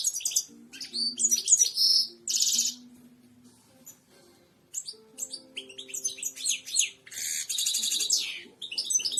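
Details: Goldfinch song used to train birds to sing: quick bursts of high buzzy twittering and sharp chips, a quieter stretch with faint low tones and hum, then renewed fast chattering.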